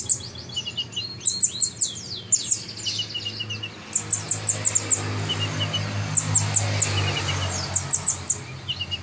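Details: Kolibri ninja sunbird singing actively, offered as a master recording: rapid bursts of thin, very high, sharply falling chirps and twitters, repeated in clusters with short pauses, over a steady low hum.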